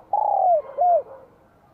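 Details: A single fragment from a Vietnamese spotted dove of the bell-voice type, recorded spring 2023. A long, slowly falling coo is followed by one shorter arched coo, clean and resonant.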